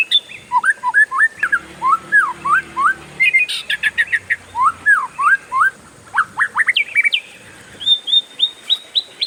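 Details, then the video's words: Kept oriental magpie-robin in a long rolling song that sets other birds singing. Rapid runs of whistled, slurred notes rise and fall near mid pitch, then shift to higher clipped whistles, with a steady high electrical tone behind. "SUARA KACER RIUH NGEROLL PANJANG, BURUNG LAIN LANGSUNG IKUTAN"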